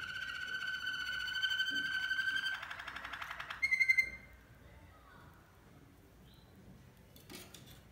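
Malinois canary singing a sustained pure tone, then a rapid rolling trill and a bright whistle, followed by quieter faint notes and a sharp click.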